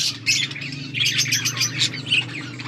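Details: Budgerigars on August 14, 2024 chattering in quick squeaky chirps and warbles, several birds at once, over a noticeable steady low hum.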